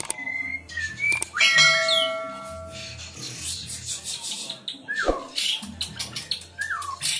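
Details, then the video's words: White-rumped shama (murai batu), a captive-bred bird from a breeder in Ngerang, Tambakromo, Pati, Central Java, sings a rich, varied full song of clear whistles, sliding notes and harsh chattering bursts, over a low steady hum. "Murai batu gacor ll full isian lur"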